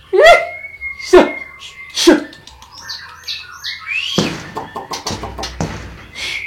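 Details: A captive male long-tailed white-rumped shama (Copsychus malabaricus) sings three loud, rich whistled notes about a second apart over a long, thin held whistle, then varied scratchy phrases; a man talks, rustling follows.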